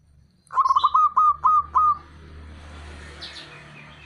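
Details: Calling male local zebra dove, meant to goad rival birds into answering: one clear phrase of six quick rhythmic coos, each short and slightly bent, then quiet hum with faint high twitters.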